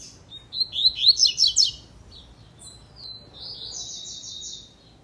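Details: Double-collared seedeater singing in the tui tui zel zel style: a quick run of sharp, high buzzy notes rising and falling, then a softer thin whistle and a sustained high buzzy trill, over faint low background hum.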